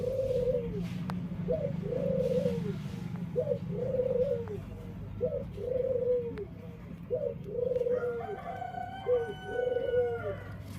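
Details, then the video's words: Dove with a unique-sounding voice; steady series of paired coos, a short rising note then a longer wavering hoot, repeated about once a second, with a higher harmonic-rich call joining near the end over a low hum. "Suara Unik Burung Puter // Unique Sound Singing of dove"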